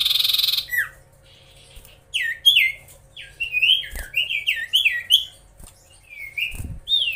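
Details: A magpie-robin sings to rile up rival birds. A harsh buzzy opening gives way to a string of clear whistled notes, each sliding up then dropping, delivered in quick varied phrases.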